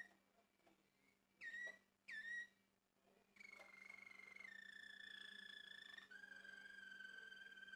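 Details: Male Malinois Waterslager canary song in a room: two short upward-swooping whistles, then long sustained pure tones stepping down in pitch, over a constant low electrical hum.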